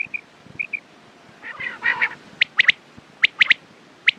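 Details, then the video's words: Soft paired whistles, then a hoarse, buzzy burst, followed by crisp quail-like three-note phrases and a final single sharp note. "Quails sound best sounds use morning and night time mast awaz saaf awaz"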